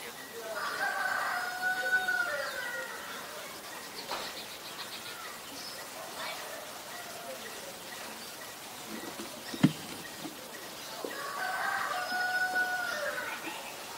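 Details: Black-collared starling in Ubon Ratchathani, Thailand, 17 November 2021, giving bursts of grating, layered calls at the start and again near the end, with quieter clicks and pattering sounds in between.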